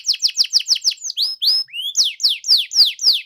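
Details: Canary song used as a lure for canaries that are reluctant to sing: a rapid series of downward-sweeping whistled notes, then slower rising slurred whistles and further descending notes, all high-pitched and continuous.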